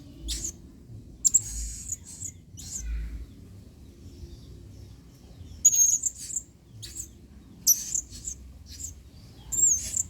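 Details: Adult male blue-crowned hanging parrot singing with emotion in the 'main singa' style, a model song for training other birds: repeated bursts of shrill, high, squeaky chips and short trills over ten seconds, with soft low background rumble.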